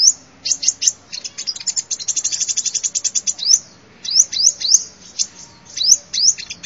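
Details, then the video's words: A sunbird sings on a lure recording: a dense, rapid trill of high ticking notes gives way to separate sharp, rising upswept chirps in small clusters. "tiếng chim hút mật"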